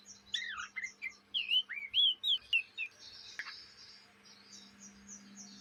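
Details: Juvenile Oriental magpie-robin from Indonesia in steady chattering practice song, a run of clear looping whistled notes that rise and fall, about two per second, then fading into a softer high hissing warble.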